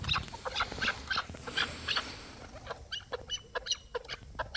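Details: Hybrid and local chukar partridges giving short, sharp, clucking notes in quick irregular bursts, several birds overlapping, with light background noise.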